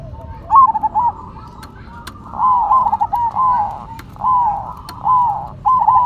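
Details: Two zebra doves, a cemani and a silver, sing against each other: soft, bubbling coos with quick trilled notes in phrases about every second, with a few sharp clicks in the background.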